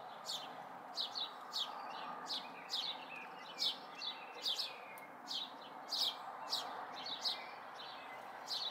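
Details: Young house sparrows recently out of the nest, May 2020, repeating sharp downward-sweeping cheeps in a steady series, with faint hum behind them.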